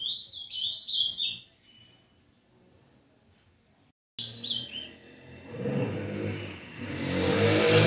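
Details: Brown young Ultramarine Grosbeak in early song gives a brief burst of high, jumbled warbled notes, falls silent, then sings a second short phrase before a passing car roars up loudly and drowns everything.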